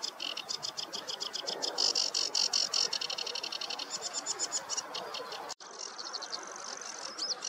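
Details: Sedge warbler singing in a meadow on a warm morning: fast, repetitive scratchy chatter for several seconds, a short break, then more high rapid notes with a whistled flick at the end.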